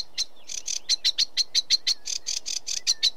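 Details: Sedge warbler delivering a quick, harsh chatter of scratchy, evenly spaced notes, about six per second, with a thin whistle threading underneath.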